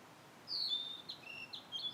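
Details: Blue-and-white flycatcher song from satoyama countryside: one phrase of sweet, high whistles, a long falling slur followed by several shorter sweeping notes, with faint hiss behind.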